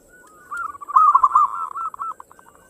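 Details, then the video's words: Local zebra dove singing in the fast single ngayer style, used as a lure to get other birds singing: one phrase of quick, rolling cooing notes, rising to a louder stuttering trill in the middle, then fading into short separate coos. "Suara perkutut lokal gacor ngayer engkel cepat mengajak gacor ampuh buat pancingan"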